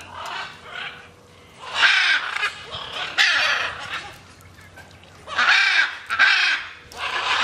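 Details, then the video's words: Harsh, nasal squawks from macaws flying free, given in uneven bursts, some paired close together, over a low background rumble. "flying macaws"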